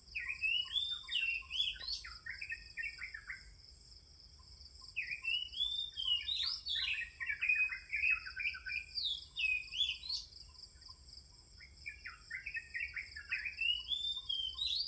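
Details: Morning song of an oriental magpie-robin: rich whistled phrases of rising and falling slurred notes, each lasting a couple of seconds and repeated about every three to four seconds, over a constant high-pitched insect hum.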